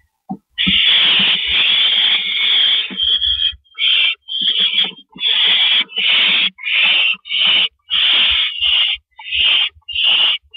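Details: Owls at the nest during a nighttime rabbit delivery, 2:52 AM, April 15, 2012: loud, rough hissing screeches, one long burst followed by a run of shorter ones about once a second, with faint scuffles.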